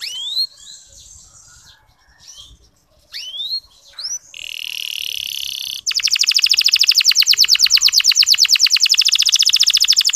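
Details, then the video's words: Soft ngeriwik canary song, a clear, long lure used to get reluctant male canaries singing: scattered chirps and upswept notes, then a steady buzzy tone, then a fast, even, pulsing trill that runs to the end. "Suara Kenari Ngeriwik Halus"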